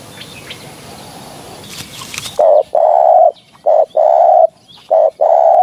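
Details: Spotted dove cooing, a recording played to lure doves for hunting; after a hushed start with faint rustling, a series of low, mellow, hollow coos follows in uneven bursts, some short, some drawn out.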